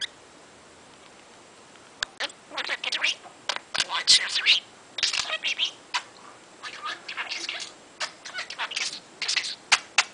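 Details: Pet parrot aged 22 months, able to say 136 words and 148 phrases, doing its daily play chatter: clusters of raspy, speech-like phrases and squawks separated by short pauses and a few sharp clicks.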